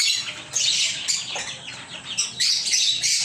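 Lovebirds keep up a shrill, high chatter of rapid squeaky chirps and scratchy squawks, coming in dense bursts roughly every half second with barely a pause.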